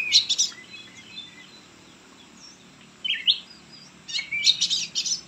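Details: White-rumped shama singing: bursts of loud, varied whistles and rich chirping notes at the start, around the middle, and at the end, separated by quieter stretches with faint background hiss.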